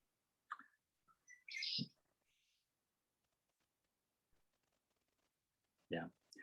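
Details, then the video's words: A recorded Red-winged Blackbird gives a couple of short clipped notes and then a harsh, buzzy trill lasting under a second, played in a wetland talk; a person starts speaking afterward. "Okay, well, I think most of you would be familiar with a red-winged blackbird call."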